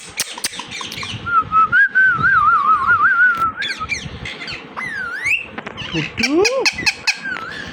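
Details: Talking Indian ringneck parakeet indoors gives a sustained wobbling whistle, then rising and falling swept notes and quick squeaky syllables, partly overlapping a person speaking to it.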